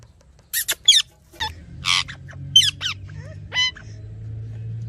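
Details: Ringneck parrot giving scattered harsh, squeaky chirps and short screeches with pauses between them, over a steady low mechanical hum.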